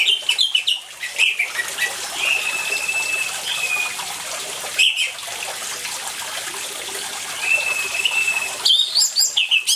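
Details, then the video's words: Orange-headed thrush singing steadily, used as a lure to get silent birds singing: bursts of sharp chirps at start and end around long, level whistled notes, over a constant hiss of running water. "ANIS MERAH GACOR DENGAN SUARA AIR, PANCINGAN ANIS MERAH MACET CEPAT BUNYI"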